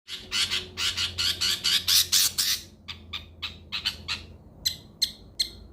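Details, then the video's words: Long-tailed shrike (cendet) song used as training material to restart a bird that stopped singing: a run of harsh, broadband rasping notes about twice a second, then sparser sharp clicks and short high chirps. "mastran burung cendet yang mandek di jamin bunyi lagih"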